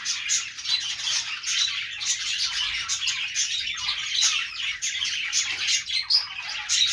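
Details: A steady wash of bright budgerigar chirps, warbles and clicks, many notes overlapping, with a higher squeal standing out near the close.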